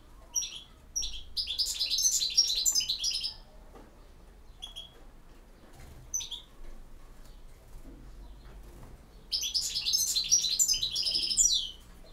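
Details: European goldfinch delivering campero-style song: two dense bursts of rapid, high, tinkling twitters and buzzy trills, the first lasting about three seconds and the second returning after a quiet spell with a few isolated chips between.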